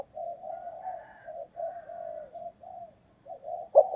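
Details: Spotted dove used as a decoy bird to lure other doves, giving a 'thúc gù' urging coo: a run of soft, low, murmured coo notes in short repeated bursts, ending in a sudden louder coo.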